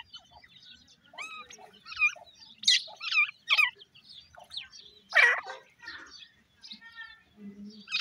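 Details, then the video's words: Indian grey francolin chicks in a fight give irregular high, squeaky chirps and slurred notes, several birds at once, with a strong cry near five seconds and brief pauses between bursts. "dakhni teetar chicks fighting,indian gora teetar chicks voice"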